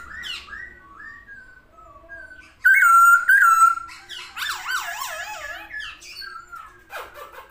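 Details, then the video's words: Masked laughingthrush in full song while spreading its wings, a loud wavering whistle followed by rapid looping, chattering notes and scattered sharp calls, indoors. "burung poksay hongkong gacor buka sayap"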